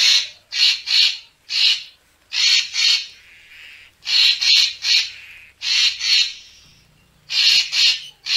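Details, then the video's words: Lure recording of a racket-tailed treepie for bird photographers: clusters of two to four rough, rasping bursts separated by short pauses, repeating through the passage without other noticeable sounds. "เสียงนกกาแวน คมชัด Racket-tailed Treepie sound"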